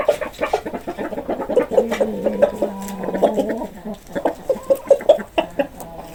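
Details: Clucking chickens give a steady run of short, sharp pulses, with a lower, sustained, wavering call running through the middle before the quick clucks return.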